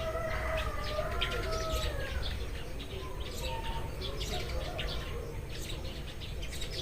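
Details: Eurasian tree sparrows chirping in the morning: short, dry chirps scattered irregularly through the clip, over a steady low rumble of background noise and a few distant, drawn-out tonal calls.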